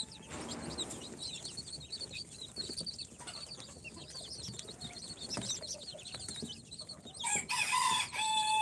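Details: Incubator-hatched chicks on day four, Sultan, Golden Sebright, Cochin and booted breeds, peep steadily in a high overlapping chatter. Near the end a louder burst of broad noise and a steady tone cut in.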